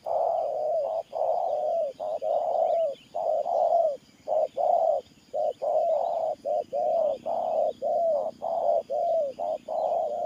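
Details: Spotted dove of the Thổ Pha Nước Gù coo style, cooing steadily: low, mellow, hollow coo phrases about one per second with short gaps, continuous through the recording, faint higher chirps in the background.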